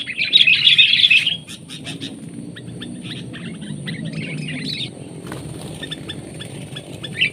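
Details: Wild sooty-headed bulbul responding in the field to a trapper's decoy bulbul: a loud, dense burst of bubbly chirps for about a second, then faint scattered ticks over a low rumbling background.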